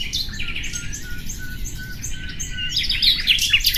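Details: Common nightingale giving a string of pure, level whistled notes repeated at an even pace, then a louder burst of high, jumbled twittering, over a low steady hum.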